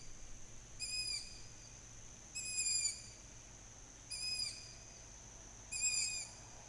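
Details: Long-eared owl chicks begging for food from their parents, heard in July 2020: a series of four high, hissy whistles, each about half a second long and spaced roughly every one and a half seconds, against low background hum.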